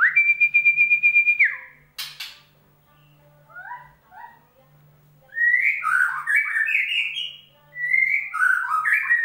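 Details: White-rumped shama song played as a lure for a bird that has stopped singing; a long steady whistled tone, a sharp burst, paired soft notes, then rich warbled whistled phrases rising and falling in quick succession.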